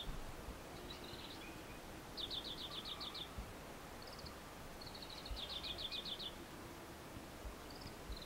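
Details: Male Oriental greenfinch singing and side-stepping on an electric cable in Japan, early May 2014: high, bright twittering trills, two quick runs of about eight notes with scattered single chirps, over a steady low rumble of background noise.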